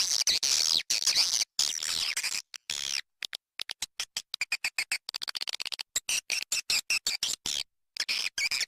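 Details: Swiftlet lure call played to attract swiftlets: rapid, choppy bursts of high, twittering chirps, sharply cut into short fragments with brief silences between, about two bursts per second.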